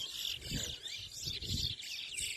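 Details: Towa towa (seed finch) singing in a towa towa bird race, a singing competition, at Anna Regina park in Essequibo, Guyana; rapid high twittering warbles run without pause while a man counts numbers aloud beneath.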